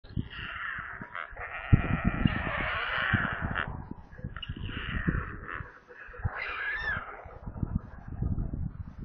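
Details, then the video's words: Hungry white stork chicks screaming in their nest near Kaluga in central Russia, caught by a live nest camera: harsh, raspy wheezing bursts in three stretches with short pauses, over frequent low thuds and rumble. "Голодные и визжащие дети"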